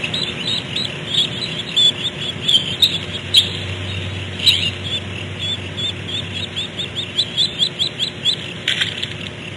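Barn owl owlets make harsh, hissing wheezes in short, uneven bursts, several voices overlapping, over a faint low hum.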